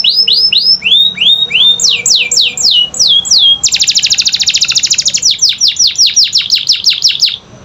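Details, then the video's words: Canary singing as a prompt for reluctant birds: repeated arched whistled slurs, then faster downward sweeps, a long fast rattling trill of very rapid notes, and more quick descending sweeps. "Pancingan Kenari Malas Bunyi"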